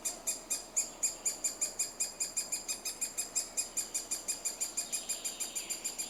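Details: Three-toed woodpecker (Picoides tridactylus) during the breeding season in Estonia, nesting in a self-made cavity in a soft old tree: a steady, unbroken run of high, buzzy chirps, about four per second, over faint hiss.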